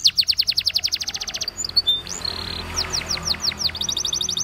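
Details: Waterslager canary song intended for training canaries: a rapid series of descending whistled notes, then softer scattered chirps and sweeping notes over a steady background hiss, ending with a brief rattle.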